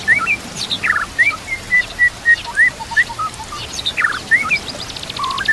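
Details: White-rumped shama song with a series of clear, steady whistled notes roughly every half second, mixed with brief chattering bursts and high sweeping notes; light ambient noise.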